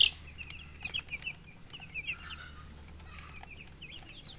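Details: Colored baby chickens peeping with thirst for drinking water; faint, short downward-sliding peeps scattered through, with a loud knock at the start and a low hum behind.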